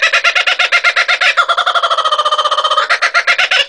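A kookaburra gives a loud, rapid cackling laugh of harsh, rich notes, about nine a second, with a brief held rolling passage in the middle.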